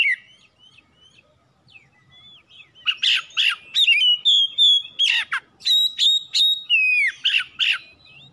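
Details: A home-kept oriental magpie-robin (kacer) sings as a lure to get other birds singing: soft scattered notes at first, then loud rapid whistles mixed with harsh sharp bursts, repeated about three times a second.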